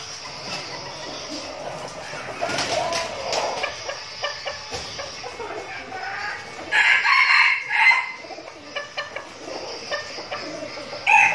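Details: Decoy red junglefowl in captivity, Bình Phước province, Vietnam: clucks and clicks from several birds, a clear crow after about seven seconds, and the start of another crow at the end.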